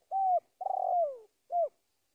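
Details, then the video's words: Spotted dove calling a rival: a clear level coo, then a long rolling note that slides downward, and a final short coo. The setting is quiet. "Suara Panggilan Tekukur memanggil Lawan"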